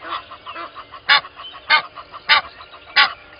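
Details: A pair of Egyptian geese calls at 05:32 on 12/01/20 at Gowrie dam waterhole, Djuma Game Reserve, Sabi Sand Wildtuin, South Africa. Soft rapid chattering notes are broken by four loud, harsh, broadband honks spaced roughly 0.6 seconds apart.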